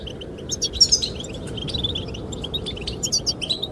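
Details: Short burst of goldfinch song meant to attract the female: sprightly high chirps and twitters, a louder flurry early, then spaced notes, over wind.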